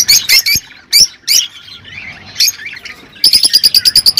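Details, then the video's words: Rosy-faced and Fischer's lovebirds calling for mating encouragement: a few separate shrill squawks, soft warbling in between, then a fast, evenly spaced series of sharp ringing chirps at the end. "تغريد طيور الروز والفيشر"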